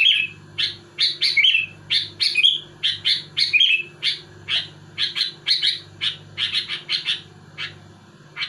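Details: Sooty-headed bulbul pouring out dense song to dominate and agitate rival bulbuls: a long series of crisp chirps, several rolling into short bubbly warbles early on, later steady single notes, over a low hum.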